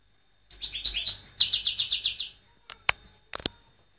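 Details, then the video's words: A European goldfinch gives a bright, liquid twitter of quick high notes for about two seconds, followed by a few sharp clicks. "Saka ötümü"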